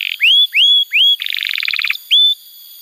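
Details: Canary song played to coax young or silent canaries into singing: three clear rising whistles, a rapid rattling two-pitched roll of about a second, then one more upslurred whistle.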